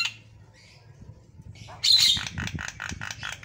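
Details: Javan myna, noted for prolific singing, gives a loud harsh rasping burst after near quiet, then a string of evenly repeated, throaty buzzy notes, against a low rumbling hum.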